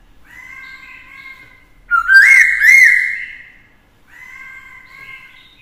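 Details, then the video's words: Black-throated laughingthrush with a female to fire up its challenge song; a loud cluster of bubbling rising whistles between quieter steady tones. "Khướu mộc hót kích đấu - Khướu bạc má hót nhiều giọng hay"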